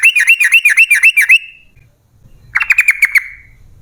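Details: Fast 'ropel' song of a yellow-vented bulbul, a lure for other bulbuls: a rapid run of seven bouncing, dipping notes, a brief quiet gap, then a shorter, quicker burst of clipped notes.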